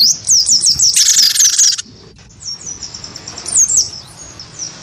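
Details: Great tit of the wingko type, stirred to fight a white-eye, gives a fast run of sharp high chirps and a harsh buzzy burst, then softer thin whistles after a brief lull.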